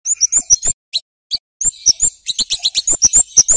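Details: Flowerpecker singing nonstop in a lure recording meant to get young birds singing: sharp, very high chips and short rising squeaks come in rapid bursts, with a brief pause near the middle before the quick chatter resumes.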